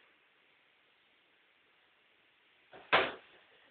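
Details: A quiet indoor hiss ends in one sharp knock, like a door or drawer shutting, with no animal heard.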